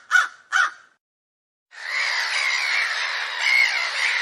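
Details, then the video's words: Crow gives two harsh, hoarse caws in quick succession, then a pause and a steady, dense rush of noise. "Attractive Crow - Sound Effect"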